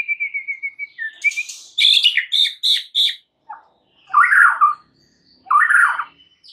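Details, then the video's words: White-rumped shama song intended to provoke other shamas into singing, starting with a quick run of even whistled notes, then loud harsh bursts and two rasping, scolding phrases. "PANCINGAN murai paling AMPUH"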